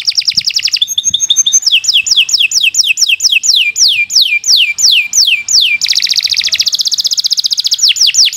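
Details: Canary's long song, used as a tutor recording for beginner birds: a short high trill, then a series of slow, clear whistles sliding downward, ending in a dense buzzing roll.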